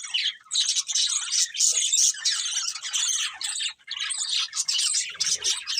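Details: A flock of budgies singing while they eat, producing a thick, buzzy wall of high chatter and scratchy notes that pauses briefly now and then.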